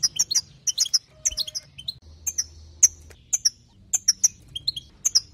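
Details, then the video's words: European goldfinch song played to excite other goldfinches: sharp, high chirps given singly or in quick pairs, spaced by short gaps, with a faint low hum underneath. "بتبتات حسون جديده للتهيج نار"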